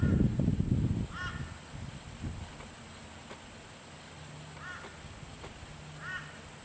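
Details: A hand-fed baby butcherbird gives three short, nasal, down-slurred calls a few seconds apart, after a burst of low rumbling noise, with a steady high hiss throughout.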